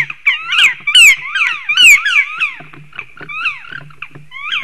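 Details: Black woodpeckers shouting loudly at a nest tree in Sigulda municipality, Latvia, on 30 March, around 9:55 am, likely defending territory as a third bird joins. Dense bursts of slurred, ringing calls overlap, with a low hum beneath.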